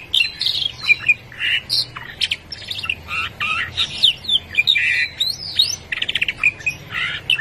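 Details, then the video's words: A canary, long separated from its companion and said to have forgotten its voice, sings a fast, nearly continuous medley of bright, high trills, chirps and squeaky warbles, with short rolling bursts throughout. "el efecto del canario por mucho tiempo sin ver a su amigo hasta que se olvidó de su voz"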